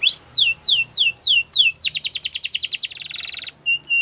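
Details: Singing canary opens with five slow descending whistled notes, then shifts into a quick pulsed trill and a dense buzzy rattle, ending on short high chips.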